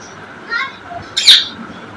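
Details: African grey parrot singing and dancing: a brief warbled, harmonic note followed by a loud, harsh broadband squawk, over a faint steady background hum.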